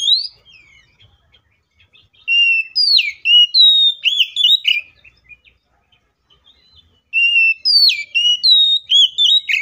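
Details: Fighting song of an Oriental magpie-robin, loud and packed with fillers, used as a lure so other magpie-robins start singing. Two bursts of quick varied whistles, upslurs and sharp chips, split by a silent stretch of several seconds.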